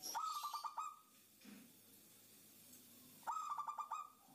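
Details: Female zebra dove calling a male, a lure call: a quick run of rolling cooing notes, a long quiet pause, then a second similar burst.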